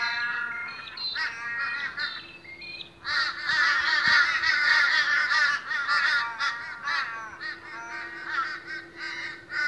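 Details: A rowdy morning crowd of Australian ravens: a few drawn-out nasal calls, then a loud, dense chorus of overlapping harsh caws from many birds, easing to scattered calls at the end.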